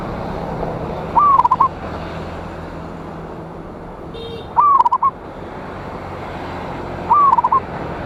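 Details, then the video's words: Local zebra dove with a big voice calling out rivals: three phrases roughly three seconds apart, each a smooth glide then a quick burst of bubbling notes, over constant noisy background hum. "Perkutut Lokal GACOR suara Besar Ampuh memanggil Lawan"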